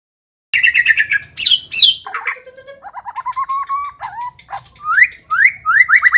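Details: White-rumped shama singing vigorously, a rich varied song: fast trilled phrases, sweeping whistles and rising notes, with a low hum underneath.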